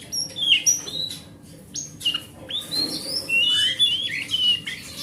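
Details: Forest oriental magpie-robin song, played to spur a non-singing magpie-robin. High thin whistles and clipped chirps open the song, then longer rising whistled phrases follow with a few scratchy notes. A faint background hum is present.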